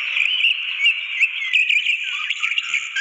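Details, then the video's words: Wild orange-headed thrush in full song, used to encourage a silent bird to sing: rapid, unbroken warbling of sweet whistles and chattering trills, rich and varied throughout. "Masteran Anis Merah cocok untuk pancingan Anis Merah macet bunyi biar cepat ngeplong"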